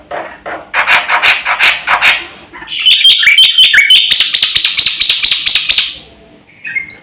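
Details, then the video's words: Black-winged myna in active full song, recorded as lure and master material for training birds; coarse raspy notes give way to a fast, loud sequence of buzzy pulses with sharp whistled highlights. "SUARA BURUNG JALAK PUTIH GACOR FULL ISIAN JUARA HEBAT UNTUK PANCINGAN & MASTERAN"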